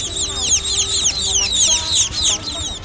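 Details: Short burst of juvenile munia calls used to lure birds into nets: crowded, high, curved downward chirps from several birds, with a faint low steady tone behind.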